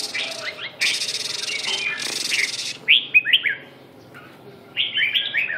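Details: Red-whiskered bulbul from Vietnam giving a few short warbled phrases, interrupted early by a loud broad rushing noise, then a pause before another brief melodic burst.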